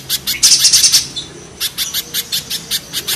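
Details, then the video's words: Spiderhunter, with mountain and banana spiderhunters pitted against each other: a fast buzzy rattle in the first second, then a brief pause and a run of loud, piercing chips at a quick uneven pace. "Raja kasarnya kolibri pijantung gunung vs pijantung pisang"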